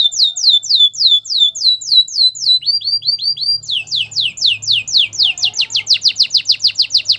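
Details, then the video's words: Canary training song: a long series of repeated falling whistled notes about four per second, a brief softer run of upslurs, then faster sweeping notes; faint low hum beneath. "Canary training song | Most popular canary singing"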